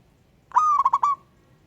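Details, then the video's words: Wild local zebra dove cooing to call a rival, giving one short phrase near low pitch: a held tone broken into four quick pulsing beats, then a trailing note, over a quiet background. "Burung Perkutut LOKAL Alam Ngayer Memanggil Lawan Ikutan Manggung Gacor"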